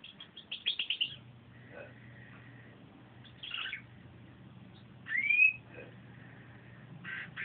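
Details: A pet canary sings a little on a sunny day in short bursts: a quick run of high chirps, a brief twitter, a bright rising whistle, then a buzzy note, over a low steady hum.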